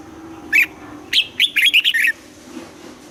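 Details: Kept red-whiskered bulbul in morning song training, double-note wild style: one clear chirp, then a fast string of about six warbled, up-and-down whistles, ending abruptly against faint background hum.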